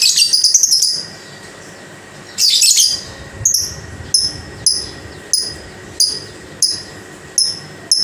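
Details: Caged lovebird giving high, thin chirps: a rapid chattering burst, then short sharp squeaks repeated about every two-thirds of a second over a steady electrical hum.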